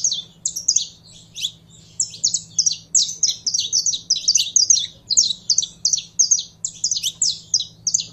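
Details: Saffron finch held in captivity, warming up: almost continuous rows of brisk, high chipping and slurred notes in rhythmic clusters, three to four groups a second, a faint hum beneath.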